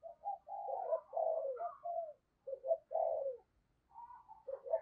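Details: Decoy spotted dove calling wild birds in the morning, here quieter and more distant-sounding: low mellow coos run closely together in a near-continuous stream, with soft higher notes and a little low background rumble.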